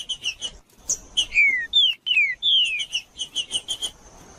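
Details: Green-winged saltator, played to warm up a cold bird, singing the Judas style: clear whistled descending slurs alternating with short repeated chipping notes, a steady high whistle tone running beneath.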